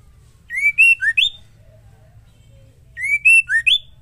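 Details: Female white-rumped shama whose song serves to provoke males: two identical phrases of whistled notes, a rising slur, a level note, a dip and a sharp upward sweep, about two and a half seconds apart.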